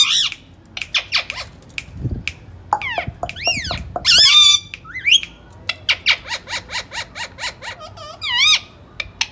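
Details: Pet ring-necked parakeet talking in Urdu indoors: rapid bursts of loud, harmonic squawks and chirps, with rising and falling whistled sweeps and quick repeated notes, plus a few wavering mimicked word-like phrases.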